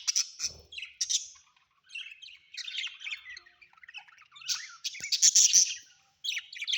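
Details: Pet budgerigars kept at home, chattering with busy scratchy squawks and chirps in bursts, with short pauses between bursts; several buzzy, rasping notes overlap.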